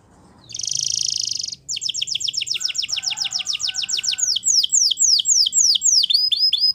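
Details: Spanish Timbrado canary: a steady harsh buzzing roll, then an even train of quick slurred notes that slows into longer swooping whistles and hooked chirps.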